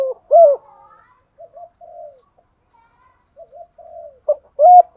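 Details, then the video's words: Decoy spotted dove giving thúc gù coos: an emphatic low coo at the start, several quiet wavering murmured notes, then short loud coos building again at the end. "thúc gù chim cu gáy mồi bài bản"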